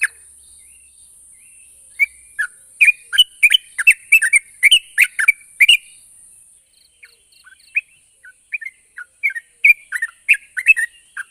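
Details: Yellow-vented bulbul song for drawing out silent birds: a burst of quick chirped phrases, a brief pause, then softer scattered bubbly notes mixed with faint repeated high ticks and hiss.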